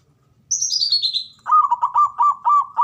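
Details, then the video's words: Zebra dove male, ngoar manggung style call meant to stimulate mating arousal: a quick run of stuttering, evenly spaced cooing notes at a steady mid pitch, preceded by a high, descending series of whistled notes from another bird. "SUARANYA🔊 PALING DI CARI UNTUK PENDONGRAK BIRAHI & EMOSI❗NGOAR MANGGUNG"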